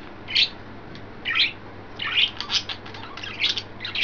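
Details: Excited, playful pet budgerigars, three birds in green, yellow and white, May 29, 2012; lively run of scratchy chirps and warbled squeaks, about one every half second, with a steady low hum beneath.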